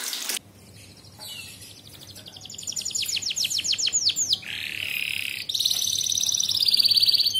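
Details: Canary song used as master material for training young canaries toward contest singing. After a brief burst of noise, soft notes build into loud sweeping repeated notes, a buzzy roll, and a bright high trill.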